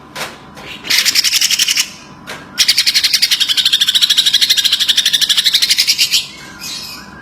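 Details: A greater green leafbird gives dense song in a magpie-robin-like manner. A short chattering burst is followed by a long, steady, rapidly pulsed buzzy trill of about three pulses per second-fraction, then quieter notes.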